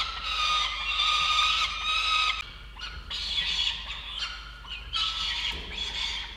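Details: Nest-camera recording of two Peregrine falcon chicks on 22.11.19, FalconCam Project: loud, grating squawks drawn out in long bouts with short breaks, rasping and high, over a low constant hum.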